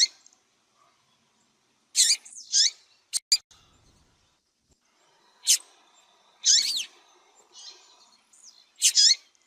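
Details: Calling female yellow-bellied seedeater, played to warm up males and spur their singing: scattered harsh buzzy high chirps, some doubled, separated by silences of one to three seconds, with a faint low hum.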